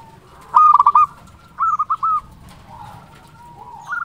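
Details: Local zebra dove with a big voice, played to stir other doves to answer: two loud bursts of fast pulsed cooing notes, followed by softer, lower coos near the end.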